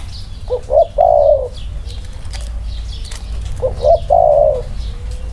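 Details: Two spotted dove phrases about three seconds apart, from one of a pair of birds compared side by side. Each phrase has two short rising notes and then a long, slightly falling coo. Faint high twitter of other birds sits underneath.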